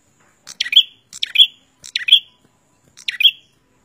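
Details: Bar-winged prinia pair, male and female singing together, loud and clear: four quick sharp chirped phrases in under four seconds, each a rapid cluster of high notes finishing on a bright piercing tone.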